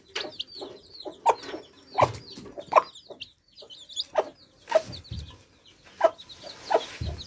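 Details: Baby chicks drinking fresh water, calling in short bright peeps and chirps roughly every half second to second, with soft clucking notes and occasional low thumps between calls.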